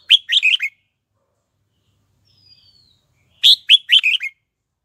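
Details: Decoy red-whiskered bulbul singing to attract wild birds to fight. Two brisk phrases of five to six bright warbled notes sound about three seconds apart, with a faint thin descending whistle in between.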